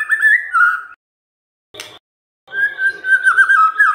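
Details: White-rumped shama song aimed at provoking other birds to sing: a wavering mid-pitched whistle, a brief burst of rough noise after a gap, then a long warbled whistled phrase.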